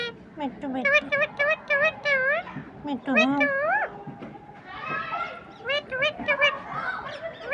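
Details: Green parrot chattering in mimicked speech: fast bursts of high, harmonic word-like syllables, some rising and falling, with a brief murmuring lull before the chatter resumes.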